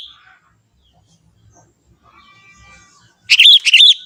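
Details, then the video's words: Young forest Sooty-headed bulbul singing in its natural voice: after near silence, one short bubbly phrase of three quick, warbled, rising-falling notes closes the recording. "suara kutilang muda hutan gacor suara asli tanpa isian"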